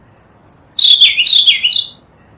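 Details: Melodious song of the Sunda blue robin, a Javan and Sumatran endemic, recorded for training songbirds: faint thin notes, then a rich phrase of three or four quick slurred whistles with swoops up and down, over a second long.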